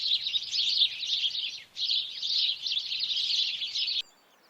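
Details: Busy twittering of many sparrows, which often nest near buildings: high, rapid chirps in a thick chorus, a short dip near the middle, then the sound cuts off abruptly into near silence.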